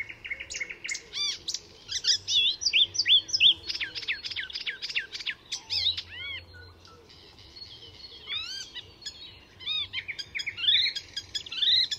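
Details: Icterine warbler in full song at Fysingen reserve north of Stockholm, Sweden, a mimic weaving other species' calls into its repertoire; varied rapid phrases of high whistles, arched notes and harsh chatters with brief pauses, low hum beneath.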